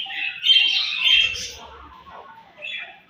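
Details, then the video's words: Budgerigars fed in the morning give a brief burst of scratchy chirping and squawky notes, fading to soft chatter before one last short call. "𝘽𝙪𝙙𝙜𝙞𝙚𝙨 𝙈𝙤𝙧𝙣𝙞𝙣𝙜 𝙁𝙤𝙤𝙙 𝙒𝙞𝙩𝙝 𝙈𝙤𝙧𝙣𝙞𝙣𝙜 𝘾𝙝𝙞𝙧𝙥𝙞𝙣𝙜 𝙎𝙤𝙪𝙣𝙙𝙨"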